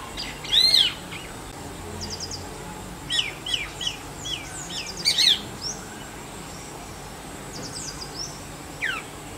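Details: Male Jerdon's leafbird (Bengali: Horbola) calling for a mate or territory: bright high chirps in small clusters, a run of short repeated notes around the middle, and a final falling whistle over soft background noise.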